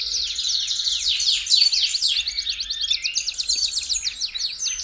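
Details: Belgian canary singing to warm up a canary: a dense, overlapping wash of bright high trills and sweeping notes, turning into a crisp rapid rattle near the end.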